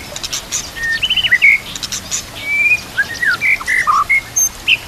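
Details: Training song of a white-rumped shama, or murai batu: separate clear whistles, some long and level, others bent or slurred, mixed with brief high chirps, delivered in an uneven stream with short gaps.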